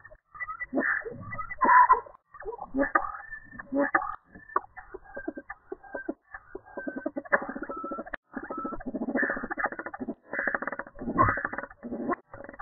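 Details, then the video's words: Several European starlings checking out a flicker nest box, captured by a home security camera. They give dense, bursty chatter of clicks, rattles and squeaky notes like beatboxing, in runs of one to two seconds with brief pauses. The sound is muffled and lacks high tones. "Vocal Starlings checking nest box"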